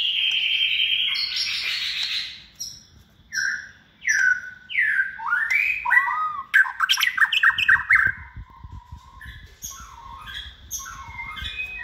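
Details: Caged white-rumped shama, hand-reared and noted for many voices and endurance singing, runs through varied phrases: a harsh buzzy burst, downward-sliding whistles, a rapid trill of clipped notes, then softer warbles.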